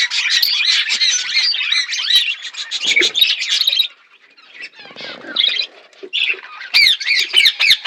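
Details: Flock of budgies chirping while eating: busy warbling chatter and squawks, a brief lull near the middle, then sharp repeated chirps resume toward the end.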